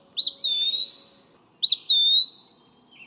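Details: Eastern Wood-Pewee singing its sweet name-like "pee-o-wee" song as summer approaches: two clear whistled phrases, each sliding down then slowly rising, about a second long, with a faint low hum underneath.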